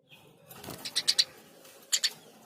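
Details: Eurasian tree sparrow calling: a brief run of three clipped, high chirps, then a pair of similar notes after a short gap.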